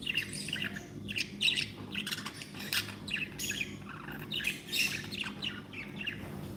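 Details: Happy pet budgerigars, several birds, chattering continuously with dense warbled chirps and scratchy squawks, bursts every half second or so, steady low hum underneath.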